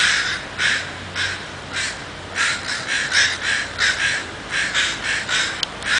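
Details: Several crows mobbing and dive-bombing a raccoon in North Vancouver, loud grating caws repeated in quick irregular bursts, calls overlapping from multiple birds.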